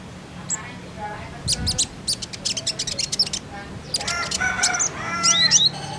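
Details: Common iora giving quick bursts of high chirps and short whistled notes, some rising, with faint voices and a low hum behind. It is used as a lure to prompt untrained young ioras to start singing.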